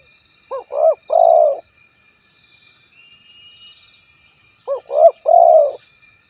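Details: Spotted dove repeating its coo twice about four seconds apart, each a doubled short note, a rising coo and a long held coo, with quiet background between the phrases.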